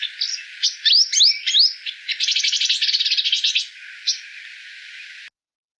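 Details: Purple Sunbird, a common bird around homes in India, sings: thin, high twittering with quick sweeping notes that run into a fast, buzzy trill, then a single closing chip.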